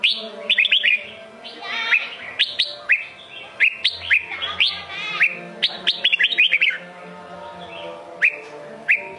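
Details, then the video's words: Red-whiskered bulbul in the Sông Kôn singing style, delivering a long, busy series of bright whistled and chattering phrases, many notes sliding upward, with brief pauses and a faint low hum beneath. "Chào mào sông kôn hót cực hay cực đẹp"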